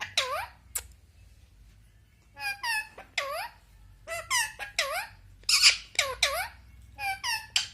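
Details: Talking pet Indian ringneck parakeet, known to say papa, mummy and Jay shri ram, speaks indoors in a steady stream. Loud, shrill, speech-like syllables come in short bursts of two or three, with high harmonic squeaks and brief pauses between them.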